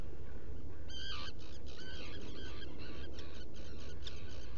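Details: Inside a nest burrow on Seal Island NWR, Maine, a burrow camera picks up black guillemots before dawn on 20 June 2018. Quick series of squeaky, bent whistles repeat for about three seconds over deep background hum.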